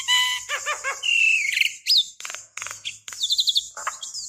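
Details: Decoy call of a female Javan myna summoning a male: strong nasal harmonic notes, a rising drawn-out whistle, then quick squeaky trills and scratchy chatter.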